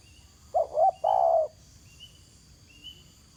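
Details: A spotted dove on the ground gives one full cooing phrase: two short soft notes running into a longer, lower, sustained coo, over a faint insect drone and distant thin bird chirps.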